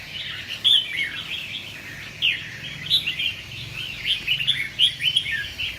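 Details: Red-whiskered bulbul, a caged competition bird: bright whistled phrases and clipped chirps come in loud bursts roughly every second, with slurred downward notes over a steady background twitter.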